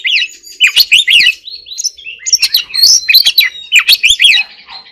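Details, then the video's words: Oriental magpie-robin singing a training song in the forest-voice style: loud, rapid, varied whistled phrases, chattering and sweeping notes tumbling without pause, bright and close. "choè than hót giọng rừng"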